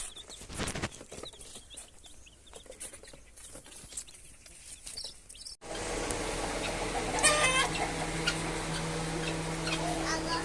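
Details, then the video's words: Young chicks give short, high peeping chirps over a steady low hum; the sound cuts partway through and the second half is louder. "baby chicks crying,baby chicks chirping sounds"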